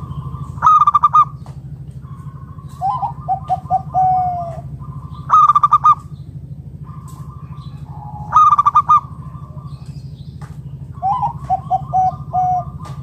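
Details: Zebra dove of local stock used as a lure to make other doves sing: repeated loud rolling coo bursts about every two and a half seconds, alternating with lower, softer descending coos, over a continuous low hum.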